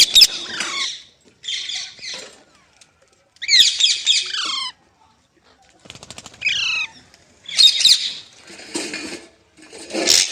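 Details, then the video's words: Green parrot, known locally as mitthu or tota, calling with loud grating squawks in bursts, a brief clicking rattle midway, then more harsh screeches toward the end. "Green Parrot Talking Natural Sounds | Mitthu Ki Awaaz | Tote Ki Awaaz"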